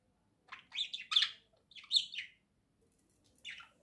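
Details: Pair of pet budgerigars playing and preening together: a run of quick, scratchy, warbling chirps in clustered bursts over three seconds, then a lone chirp near the end, in a quiet room.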